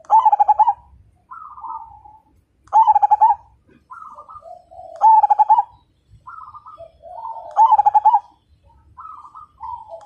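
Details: Vigorous Majapahit zebra dove song: loud bursts of rapid, pulsing coos repeat about every two and a half seconds, alternating with softer answering coos from other doves.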